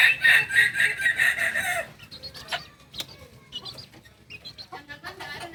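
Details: Kokok Balenggek chick aged two months, singing chicken breed of Tigo Lurah, Solok regency, West Sumatra, ending a loud harsh crow in the first two seconds, followed by quieter scattered clucks and chirps.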